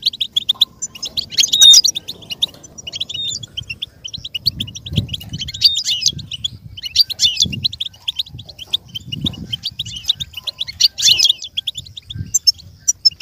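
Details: Goldfinch singing, played for a goldfinch to learn and imitate: continuous high, rapid twittering with buzzy trills and bright whistled notes across thirteen seconds, over soft low thumps.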